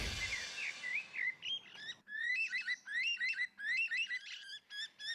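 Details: Lyrebird performing a mimicked song after a dance display, able to imitate 20 different species: loud, varied whistled and chirping phrases, rising and falling notes repeated in quick bursts, with a brief softer noisy start.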